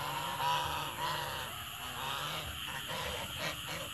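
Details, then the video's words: Goose calling in the evening: a few short, nasal honks with layered harmonics near the start, then quieter scattered notes, all over a steady high electrical hum and broad background hiss. "Amazing Song Of Beautiful Goose In The Evening"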